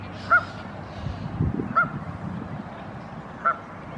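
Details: A Canada goose parent on a lake shore, with goslings, gives three short, nasal honks about one and a half seconds apart, calling the chicks to gather under her as a crow flies past. A low steady rumble sounds underneath.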